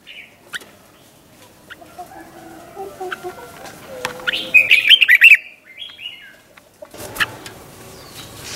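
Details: Red-whiskered bulbul in the doubled '100 Achip' song style, played to teach young birds: one short burst of quick warbled notes midway, amid scattered clicks, chirps and a busy background.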